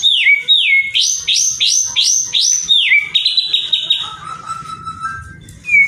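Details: White-rumped shama song used to provoke other shamas into singing: a rapid series of rising swept whistles, each ending in a steady tone, then a sustained trill and a lower held note.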